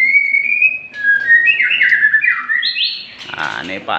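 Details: Varied whistled phrases of a white-rumped shama: a long steady tone, stepped slurs rising higher, then a burst of harsher, noisier notes at the end.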